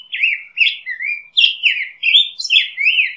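A black-headed grosbeak sings a rich, fast run of sweet, slurred whistles that rise and fall, like a hurried robin. No other sounds are heard.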